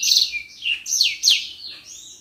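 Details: Common iora singing as a training model for other cage birds: three or four bright whistled notes sweeping downward, then a long smooth rising-falling whistle, clean with little background.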